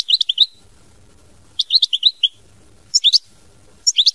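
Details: European goldfinch, locally called Chardonneret, singing in short bursts of bright, rapid twittering notes, each phrase about half a second long and separated by pauses, with faint low background rumble between phrases.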